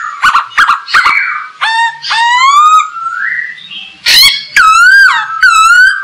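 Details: Masked laughingthrush song for teaching other birds: short harsh notes, then rising whistled slurs, a pause, and a loud burst followed by more upslurred whistles.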